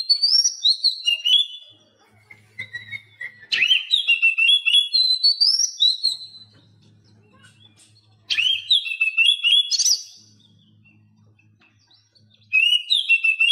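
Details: Oriental magpie-robin song intended to make silent captive birds sing: repeated bursts of rich, varied whistles, each with a sharp upward sweep and quick warbled phrases, separated by short pauses over a faint low hum.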